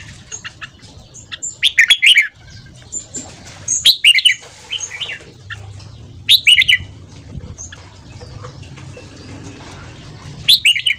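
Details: Red-whiskered bulbul giving its fast 'ché' morning song for voice training and prompting new wild-caught birds; short, loud bursts of bright rolling whistles roughly every two to three seconds over a low hum and faint twitters.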